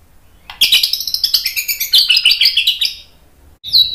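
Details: White-rumped shama training song meant to spur a rival into rapid-fire singing: a high, fast chattering burst of dense twittering notes lasting about two and a half seconds, ending with a sharp whistle.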